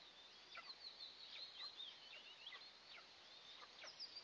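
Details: Eastern imperial eagle nest with two eaglets during the first morning feeding, June 29, 2024, recorded by a camera in the nest. High, thin chirping calls repeat rapidly, with short downslurred squeaks between whistled notes.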